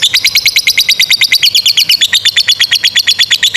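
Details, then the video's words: Lovebird in full ngekek, the prolonged chattering song used to teach other lovebirds, including young and stalled singers; very fast, evenly pulsed, piercing trill of squeaky notes continuing without a break. "SUARA 22a love bird ngekek PANJANG INI Cocok untuk Masteran love bird paud dan Macet"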